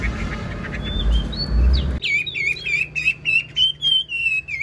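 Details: Old wild-caught Chinese hwamei, offered for sale and praised for its excellent voice, sings loud clear whistled phrases, each a wavering fluting note repeated in quick succession, after a noisy opening two seconds of rumble and faint whistles.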